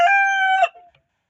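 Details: Domestic chicken from a home flock of hens: a single loud, harmonic, steady held note lasting about 0.7 seconds, ending in a brief rough burst and a fading tail.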